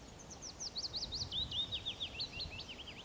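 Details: Willow warbler (Phylloscopus trochilus) singing its spring song: a sweet, fluid phrase of slurred whistled notes that starts high and steadily cascades lower over about three seconds, over a faint low background rumble.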